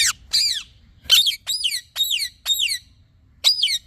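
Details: Talking parrot repeating short, raspy chirps that drop steeply in pitch, roughly two or three per second, with brief silent pauses between bursts.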